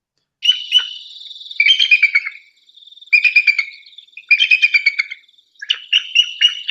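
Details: A bald eagle in New Hampshire gives a thin, squeaky chatter: four bursts of quick high tweets, each stuttering slightly downward, about every one and a half seconds; surprisingly weak, barely audible for such a predator.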